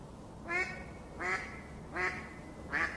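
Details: Duck at a pond giving four loud, nasal quacks, each with a stacked harmonic tone, spaced about three quarters of a second apart over a quiet background.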